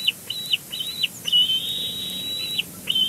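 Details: Bald eagles at the nest at Big Bear Lake, recorded 12 May 2022 by live nest cam while one bird arranges nest fluff; high, thin whistled notes, several short chirps then a long drawn whistle near the end, then another short note.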